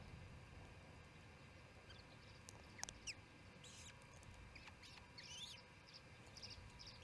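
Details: Osprey calls from the Charlo nest at the second evening feeding, June 18, 2018, 7pm MDT; a curling, whistled high call near the end follows sharp clicks, all above a continuous low droning background.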